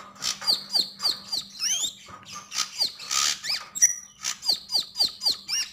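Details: Javan grey-throated white-eye (sogon) singing energetically: rapid series of high, downward-sweeping whistles about four per second, broken by rising slurred notes and short harsh chatter, over a faint steady hum.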